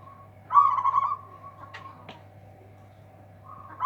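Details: Local zebra dove with a powerful voice meant to outdo rivals, delivering a single vibrant trilled coo phrase, then near quiet with faint clicks and a steady hum, another phrase starting at the end.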